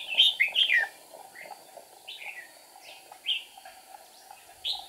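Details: Decoy red-whiskered bulbul at a trap on 8 April 2019, wing-flicking and tail-flicking; loud chirpy warbled phrases at the start, then scattered shorter notes with pauses.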